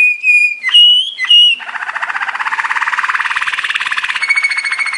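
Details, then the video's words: A Belgian Waterslager (Malinois) song canary, training song: a few clear, high whistles, then a rapid bubbling, water-like roll, ending on another pure whistled note. "Belgian Waterslager / Belgian Malinois Waterslager training song"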